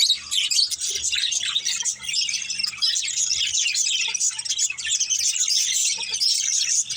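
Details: Several pet budgerigars at play fill the air with continuous, fast high chirping and chattering warbles, dense and layered throughout with only tiny gaps.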